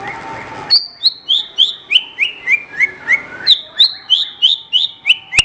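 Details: Horsfield's bush lark singing, kept as a master song for training other songbirds: crisp, downslurred chirps repeated about three times a second, stepping lower in pitch, then restarting high and falling again.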